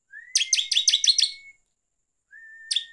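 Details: Bar-winged prinia song used as a provoking lure: a long, steady thin whistle runs beneath a quick series of harsh chattering notes, then a second whistle begins with the chattering resuming. The song style is gacor ngeplong.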